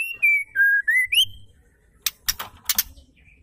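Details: Female white-rumped shama, whose singing is used to provoke male shamas. It gives one pure whistled phrase that drops in steps and then climbs to a bright finish, followed by several sharp dry clicks.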